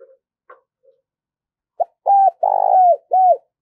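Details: Spotted dove used as a decoy, cooing to attract wild birds: a few faint soft notes, then a clear phrase of a short note, two-part hollow coos and a long vibrating coo ending in a falling note.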